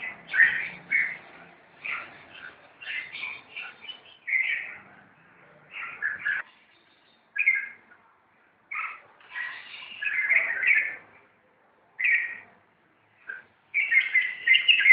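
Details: A run of scolding, gritty chatter from red-whiskered bulbuls fighting, short sharp bursts at irregular intervals separated by clear silences, growing louder and more sustained at the close.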